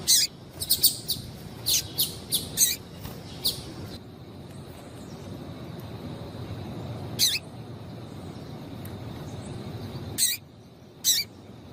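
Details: Calling female yellow-bellied seedeater, used to make males sing. Clusters of high, sharp chirps open the recording, then a long stretch with steady background hiss and only a few isolated high notes.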